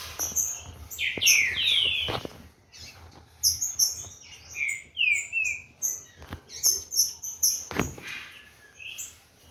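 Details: Green-winged saltator of Corvo x Fogueira breeding, kept by a breeder, warming up. Strong descending whistled phrases open the sequence, then softer falling slurs mid-way, over a steady backdrop of thin, high chipping notes.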